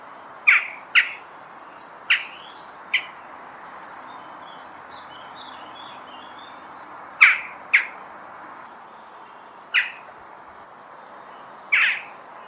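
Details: Western jackdaw giving short, sharp, harsh "chak" calls, eight in all, spaced irregularly in pairs and singles, against a steady soft background hiss.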